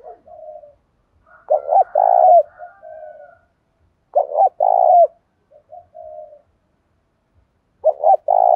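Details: 'Đồng pha' style cooing from a spotted dove, used to prompt fighting and draw out new birds: repeated phrases of a quick double note and a long mellow coo about every three seconds, with gentle trailing notes.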